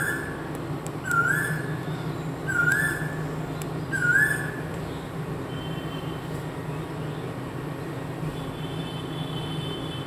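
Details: Indian cuckoo calling at a home gives three clear, mellow whistled phrases about every one and a half seconds, over a steady low rumble of background noise.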